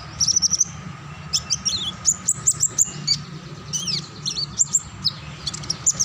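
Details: Continuous ngacor-style song of a kinglet cisticola: rapid runs of thin, very high tinkling notes, some rising slurs, delivered in quick bursts with brief pauses, above a faint constant hum.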